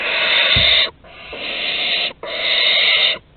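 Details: Barn owl young at their Théding nest on 15 August 2020, during prey deliveries at the entrance: three long, harsh, breathy screeches of about a second each, separated by brief pauses.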